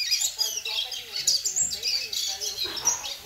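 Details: Young captive double-collared seedeater, ten months old, kept in the United States, singing a dense run of high, rapid chirps and twittering notes, with faint low voice-like sounds beneath.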